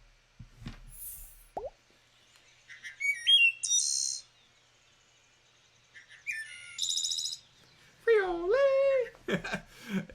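Wood Thrush song: two flute-like phrases of stepped, liquid notes, each ending in a high shimmering trill. A voice and a few clicks come before and after.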